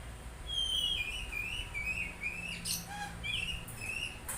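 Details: Oriental magpie-robin in continuous whistled warbling, smooth notes rising and falling, broken by a few scratchy clicks, with a faint low hum beneath.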